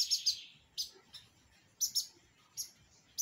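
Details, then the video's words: Lined seedeater singing its pirata song: short bursts of high, sharp chirps, some doubled, spaced irregularly over a steady low background hum. "BIGODINHO PIRATA DO NOSSO AMIGO ALLISON CANTANDO MUITO BONITO SEMPRE DANDO UM SHOW DE MELODIA!"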